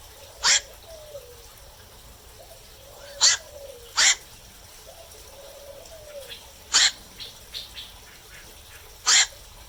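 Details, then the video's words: At night, a black-crowned night heron gives abrupt, raspy single croaks at uneven intervals, five loud ones in ten seconds, with faint lower gliding sounds in the background. "เสียงนกแขวก นกแขวก (กลางคืน)"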